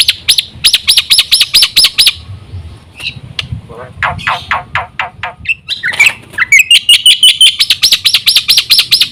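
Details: Black-winged myna song for luring other mynas: a row of arched whistles, a stretch of lower clipped notes, then a rising run into steady repeated loud whistles.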